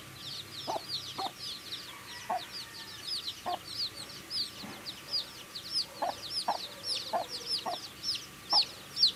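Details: Baby chickens feeding with constant chirping: a lively chorus of piercing, high, downward-sweeping peeps, growing louder toward the end, mixed with scattered pecking taps on food.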